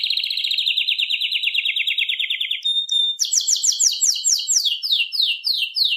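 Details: Canary (Serinus canaria) singing a long, fast descending trill, a brief pure whistle, then rapid high sweeping notes repeated in quick series.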